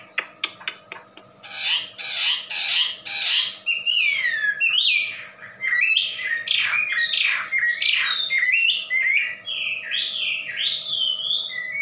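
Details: Very loud wambi song, from a bird famed among Indonesian songbird keepers: sharp clicks and harsh rasping bursts give way to a rich run of loud whistles and warbled phrases that rise and fall, with a faint steady hum beneath.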